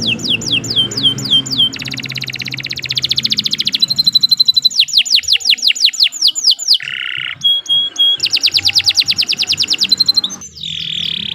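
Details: Canary song meant for training other birds: descending whistles, rolling rapid trills, a short buzzy section, and a steady repeated high note, all delivered in quick succession.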